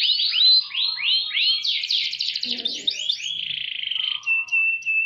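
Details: Canary with a richly ornamented song: sweeping chirped notes, a buzzy rolling section, a rapid pulsed trill and a steady level whistle, with faint low background sound midway.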